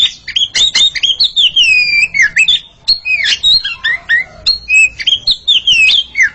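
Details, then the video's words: Two Oriental magpie-robins in a singing contest, delivering a sustained run of varied whistled phrases, swooping and warbling, with brief pauses between bursts. "Sepasang kacer sedang beradu kicauan"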